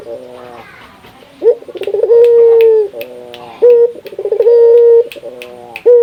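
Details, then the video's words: Local puter dove of Indonesia, recorded to make other doves call. Rolling, stuttered notes lead into a sustained mellow coo, repeated several times with irregular spacing. Light tapping clicks sound behind. "Suara burung puter lokal gacor, merangsang burung puter agar rajin bunyi"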